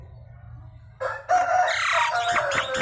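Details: Nias hill myna, loud lure sound to make birds sing. After a second of low hum, a sudden loud, rasping, richly harmonic outburst runs to the end, with raw nasal tones underneath.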